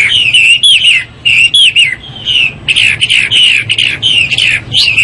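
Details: Chinese hwamei in morning song: bright whistled phrases, some rolling down in pitch, a softer sustained whistle after a short pause, then a run of loud repeated slurred notes.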